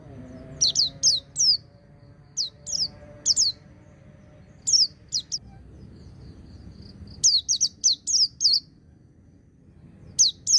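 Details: White-eye song in the ngecir and ngalas styles, intended as therapy to get young birds singing: repeated groups of high, sharply descending whistles in bursts of two to five, separated by short pauses, over a low background hum.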